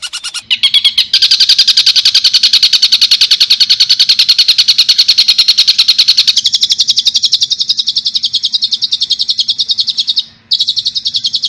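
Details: Long-tailed shrike singing a full-variation song with dense, rapid-fire rolling phrases featuring Kuntilanak, Tengkek Buto and fighting-sparrow styles: a high, fast chattering run of about three to four sharp notes per second that changes tone midway and pauses briefly near the end.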